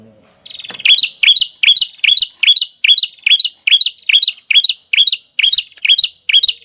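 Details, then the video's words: Songbird kept for song training, giving a loud, regular series of sharp rising chirps about every half second, each a bright whistled upsweep with buzzy overtones, repeated steadily through the clip in a quiet indoor setting. "Masteran Burung Gacor"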